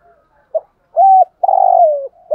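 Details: Low, mellow coo phrase from a decoy spotted dove in 'thúc gù' style: a brief clipped note, a steady hollow coo, then a long vibrating coo that slides gently downward, with another note starting at the end.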